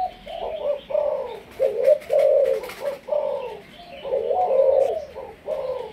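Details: Spotted dove of Malaysian line, kept as a decoy bird, repeating hoarse coos in grouped phrases with short gaps; faint clicks and knocks in the background.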